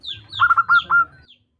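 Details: Female zebra dove calling to a male: a short burst of soft, cooing notes, several quick stuttered notes at steady pitch followed by a slightly longer held coo.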